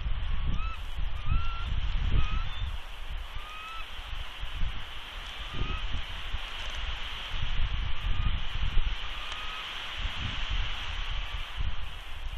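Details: Incubating female bald eagle at her Big Bear nest on 2 March 2020 calls warnings at an intruding adult eagle perched nearby; a long series of thin, clipped, upslurred chirps, often in quick pairs, with continuous low wind rumble throughout.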